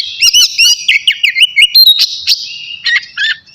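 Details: Oriental magpie-robin, of the kacer navy type, in full song before bathing: clipped whistles and chattering notes in quick succession, then a pause and two short warbled phrases.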